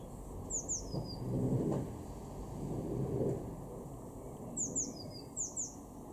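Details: A Eurasian blue tit in a garden in Weener, East Frisia, northwestern Germany, in April 2021 calls in two quick bursts of very high, thin, falling notes, about four per burst, over a steady low rumble of wind or distant traffic.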